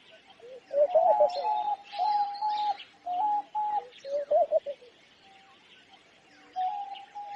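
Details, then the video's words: Homing pigeon calling: steady, level humming tones alternating with short wavering, lower notes in a bout of about four seconds, while small birds chirp and tweet faintly in the background. "Sound of Homing Pigeon"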